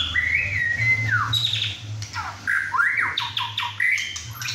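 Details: Six-and-a-half-month-old male White-rumped shama singing hard indoors during a chai session with other birds; long sustained whistle bending downward, then a run of swooping notes and sharp clicks over a steady low hum.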